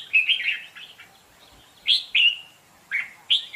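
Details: Decoy red-whiskered bulbul in contest song: a short warbled phrase, a pause, then clear separated slurred whistles in twos.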